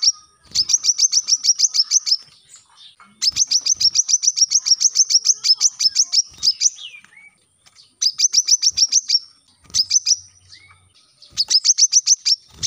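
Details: Brown-throated sunbird used as a song tutor for captive birds: repeated bursts of fast, piercing high chips, some runs long and others short, separated by gaps of a second or so.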